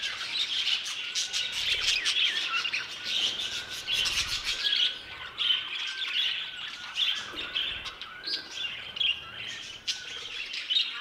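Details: Budgerigars in an aviary give loud squawks and rapid high chirps in overlapping waves, over a faint steady whistled tone.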